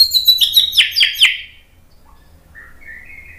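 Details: Agitated white-rumped shama song to provoke males: a quick burst of high sharp repeated notes lasting over a second, then quiet with a faint soft phrase.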